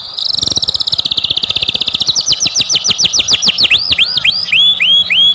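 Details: White-rumped shama lure song meant to set other birds singing: a fast, even high trill that slowly shifts into a series of loud, swooping whistled notes, about three per second.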